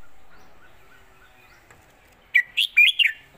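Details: Red-whiskered bulbul, southern Thai master song 'jok kwik khwai yo' for teaching birds: after a near-silent start with faint background notes, one loud four-note whistled phrase.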